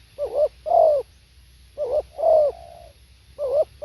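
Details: Spotted dove singing: mellow, hoarse cooing phrases, each a quick wavering double note followed by a longer slurred coo, one drawn out into a flat trailing hum, repeated about every 1.5 seconds over faint low rumble.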